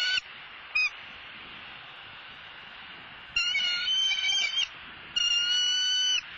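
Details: Female bald eagle squawking as she flies behind the male bringing a whole fish to their nest in Southwest Florida, captured by nest camera on 6 November 2016. Two short chips, then two longer bursts of high, rapid chittering notes.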